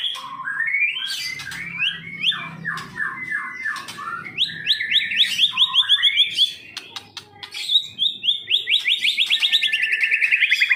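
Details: Long, varied song from a caged white-rumped shama of the Medan type: descending whistled slurs, rising series, then fast evenly repeated notes building toward the end.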